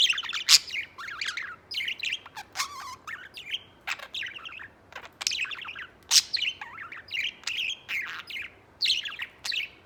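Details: White pet budgerigar warbling continuously: dense chattering run of chirps, fast rising and falling warbles and occasional loud sharp clicks, with barely any pauses over ten seconds.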